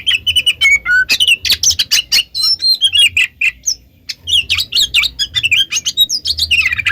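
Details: Oriental magpie-robin lure song for making other magpie-robins reply, an unbroken medley of high whistles, trills, clicks and harsh chirps, fast and varied, with a low background hum throughout.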